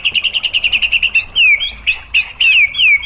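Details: White-rumped shama (murai batu) in lure song meant to make other shamas sing: a rapid string of even, clipped high notes, then loud drawn-out downward-slurred whistles alternating with rising sweeps.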